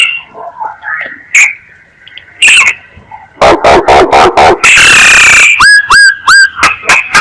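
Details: Myna lure call: faint scattered notes, then loud rapid clicks, a rasping screech and three ringing upslurred whistles with short sharp notes.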